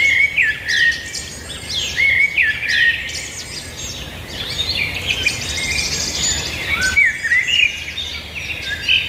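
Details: A lively chorus of birds singing, with rich warbled phrases, rapid trills and whistled notes repeated in overlapping bursts for about nine seconds, over a low background hum.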